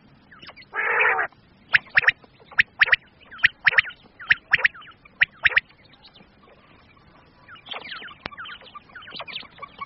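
Common quail giving sharp, clipped liquid notes in quick pairs and triplets, about one group per second, after a harsh rasping burst, then fainter chirps.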